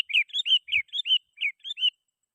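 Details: Lively sooty-headed bulbul phrase meant to challenge rivals and draw in wild bulbuls: about eight short, liquid, slurred whistles in quick succession, over in two seconds.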